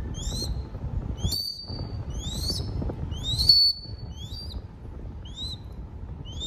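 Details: High, piercing upslurred whistles from a young crested goshawk begging at feeding time in Cambodia, about nine calls in quick succession, one drawn out into a flat, held whistle; quiet low background.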